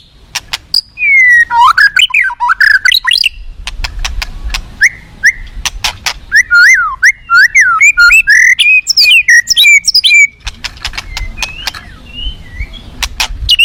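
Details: A wild white-rumped shama being conditioned for contests pours out a varied song. Rich looping whistles mix with rapid chatter, clicks and sweeping notes, followed by a few softer, sparse phrases near the end.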